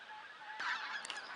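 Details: A huge flock of geese honking while flying in during spring migration to join birds feeding in fields; overlapping nasal honks rise into a brief louder burst midway, with a steady chorus of distant calls behind.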